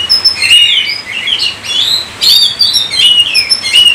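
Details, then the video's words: Lively kacer song: dense whistled warbles and bent, slurred notes from an Oriental magpie-robin, broken by sudden harsh, buzzy bursts. "Kacer COVID-20 mampu sebarkan virus gacor kacer Anda"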